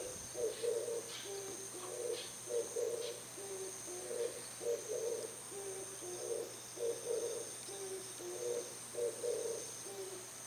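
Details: An Oriental turtle dove calling in the early morning from a house antenna gives low, hoarse cooing notes in steady rhythmic phrases, about one per second, over a faint steady electrical hum.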